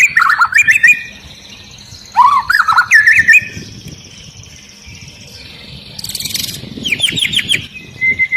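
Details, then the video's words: Long-tailed white-rumped shama singing in an agitated state, prompting other shamas to join; rich whistled phrases dropping and rising between low and high notes, separated by pauses, with a buzzy high burst and faint background chirps. "Murai Batu Ekor Panjang Ngamuk Dan Bikin Burung Murai Lain ikut Gacor !!!"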